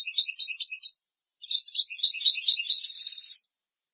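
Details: Song of a European goldfinch, played to teach chicks and hybrids. A twittering phrase is followed by a short pause, then a longer tumbling run of tinkling notes that closes in a sustained buzzy trill.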